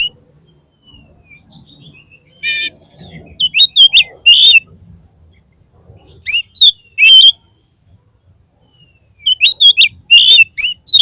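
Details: Oriental magpie-robin, known locally as kacer, singing as a lure for a caged bird: clusters of sharp, high whistles and chips repeated in three bursts about three seconds apart, with a faint low murmur between them.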